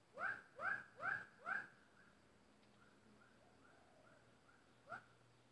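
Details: Decoy bulbul used in trapping sings four loud whistled notes in quick succession. A series of softer, even whistles follows, then a single louder note near the end.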